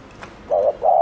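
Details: Spotted dove kept as a decoy to lure wild doves, giving a fast 'gù' coo: two low, steady tonal notes, the second slightly longer, after a short quiet gap.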